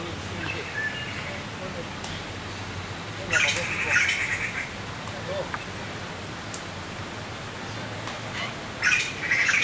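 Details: Begging Taiwan blue magpie fledglings at Qianshan Park on Yangmingshan, Taipei, fed by hard-working parents: rough squawking bursts around the middle and again near the end, with a person speaking quietly.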